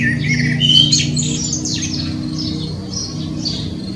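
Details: Blackbird song with a brief mellow whistle at the start, then a stream of high, scratchy twittering notes. A low steady hum sits underneath.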